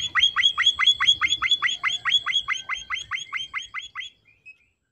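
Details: Emprit finch in lively full song, a steady fast series of about twenty sharp high chirped notes, roughly five per second, ending abruptly with two soft faint notes.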